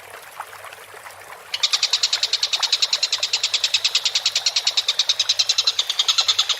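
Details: Collared kingfisher for bird training, quiet at first. After about one and a half seconds it launches into a loud, rapid, steady chatter of grating kek notes lasting about five seconds.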